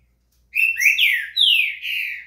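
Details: Green-winged saltator (trinca-ferro) singing, played to warm up another bird: loud phrase of four rich whistles, rising slurs then long descending slurred notes, clean and close, with no other sounds.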